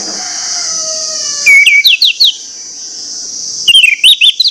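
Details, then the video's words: Orange-headed thrush delivering a loud lure song to set other orange-headed thrushes singing: two bursts of rapid downslurred whistled notes, with a steady high shrill buzz throughout and fading whistled tones at the start. "pancingan anis merah plong ngotot membangkitkan gairah anis merah lain untuk bunyi"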